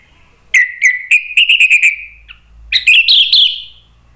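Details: Orange-headed thrush in agitated provoking song: a rapid rattled series of sharp notes on one pitch, a short pause, then a higher, buzzier stuttered burst.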